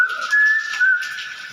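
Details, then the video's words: Common hill myna giving a clear, fairly steady whistle that holds level and rises slightly in pitch, with short breaks between notes; background noise is present. "BEO GACOR BAGUS SUARA ASLI"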